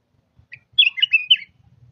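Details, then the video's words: Red-whiskered bulbul, a caged bird, giving a short burst of bubbly whistled notes, a quick rising and falling phrase of about half a second, with faint low thumps beneath. "นกกรงหัวถ่าน!!รวมคลิปนก ปรอดเหลืองหัวจุกBay chao mao tieng nui burung kutilang emas gacor"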